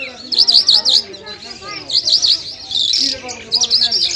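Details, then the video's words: Lark known locally as jal, a Lunda or Mashadi singer from Afghanistan, repeating quick zigzag whistled figures in short groups of three or four, with brief gaps between groups. "Top Lunda Larks Mashadi sk lunda jal full Sining"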